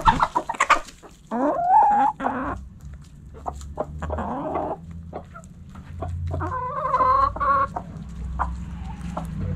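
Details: Hens in a backyard coop giving drawn-out, wavering clucks and longer nasal calls, with a low rumbling hum underneath and scattered pecking clicks.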